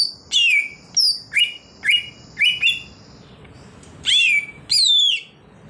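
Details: Wild greater green leafbird song of bright, sharp, down-slurred whistles repeated about every half second, a short pause, then two longer rich notes with squeaky high overtones.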